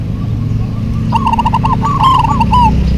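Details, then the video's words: Local zebra doves singing in a busy duet. Faint coos open the clip, then a run of louder rolling, quavering coo phrases follows, over a low steady hum. "DUET PERKUTUT LOKAL GACOR PALING RAME PASTI SEMUA NYAUT"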